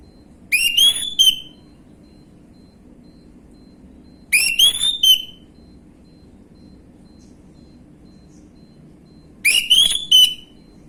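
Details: Orange-headed thrush singing in the gamblingan style, offered as a lure for untrained birds: rising whistled phrases, each sliding down into a held note with a fluttering finish, repeated three times at intervals of about four to five seconds, with a low hum throughout.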